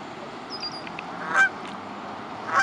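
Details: A Canada goose at a pond where geese return each spring to spend the summer gives two loud, nasal honks about a second apart, over a steady background hiss and a few faint higher notes.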